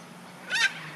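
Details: A Sulphur-crested Cockatoo (Cacatua galerita galerita) at Barmah, Victoria, Australia, 5 March 2022, on a windy day, gives a single brief, harsh, rasping screech that rises then drops, over a quiet background.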